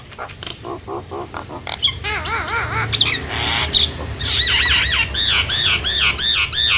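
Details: Nias hill myna singing, played to spur reluctant mynas into answering and singing steadily: a fast string of wavy, warbling notes rising into high, harsh squawks, then repeated arched whistles.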